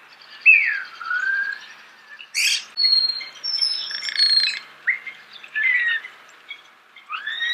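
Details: Starling song, recorded close up: slurred whistled notes mixed with harsh, scratchy bursts and short squawks, delivered in separate phrases with brief quiet gaps between them.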